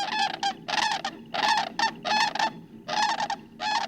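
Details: Greater sandhill cranes at Grays Lake National Wildlife Refuge, a marsh nesting site, in spring mating season give loud, rolling, rattling bugles in quick bursts, a call heard over a mile away.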